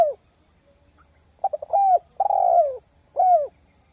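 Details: Spotted dove call used to lure wild doves: stuttering short notes lead into drawn-out, slurred coos that fall in pitch, in three phrases, over a faint steady high whine.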